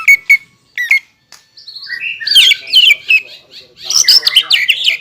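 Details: Singing green leafbird, whose song serves to provoke rivals into answering and includes mimicked kingfisher and shama phrases. Scattered sharp chips build into a dense, jumbled stretch of loud high warbling and squeaky notes.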